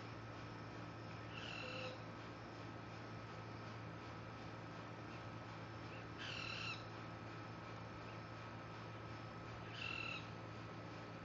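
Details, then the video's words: A Social Flycatcher at Universidad Francisco Marroquin, 20 June 2012, gives three short, harsh, scratchy calls spaced several seconds apart over a steady mechanical hum and a faint whining tone. "social flycatcher"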